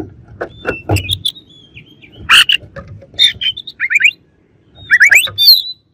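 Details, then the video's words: Rival Oriental magpie-robin song made of mixed harsh chips, thin whistled slurs and quick rising trilled notes, over faint low background noise. "KACER LAWAN AUTO EMOSI DENGER INI"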